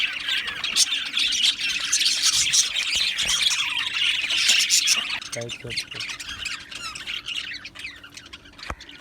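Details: Budgerigars in an aviary colony chatter loudly in thick overlapping chirps and squawks for about five seconds, then the twittering thins to scattered quieter notes.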